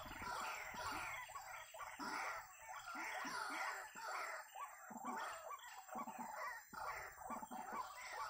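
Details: White-breasted waterhen, known locally as ruak-ruak or wak-wak, recorded during bird trapping with snares: a dense, loud run of harsh, croaking notes repeated over and over, overlapping in a busy, noisy stretch with a steady hiss in the background.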